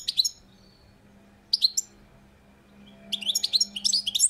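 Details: Short high chirp bursts from a European goldfinch on a balcony, spaced by pauses, then a longer rapid twittering phrase, over a faint steady low hum.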